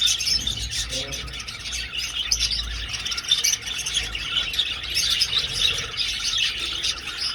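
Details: A flock of budgerigars flying in an old aviary: dense, continuous chirping and warbling chatter from many birds at once, bright and high, with no pauses throughout.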